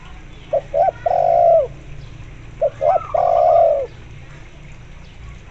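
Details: Two phrases from a lively spotted dove, set against local zebra dove sounds to coax zebra doves to call. Each phrase holds a couple of short hooting notes leading into a long, smooth, descending coo, with a faint wavering higher tone above it.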